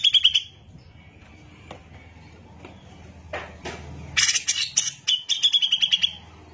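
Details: Grey-cheeked bulbul in full vigorous song, offered as tutor material for training songbirds. A high trilled phrase opens, then scattered notes and quiet, followed by a burst of harsh rasping chatter and a quick trilled series.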